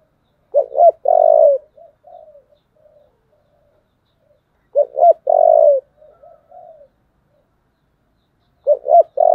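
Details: Spotted dove fighting call in the 'giọng thổ' voice style: a loud phrase of two quick clipped notes and a drawn-out low coo, followed by soft trailing coos. The phrase repeats about every four seconds. Quiet background.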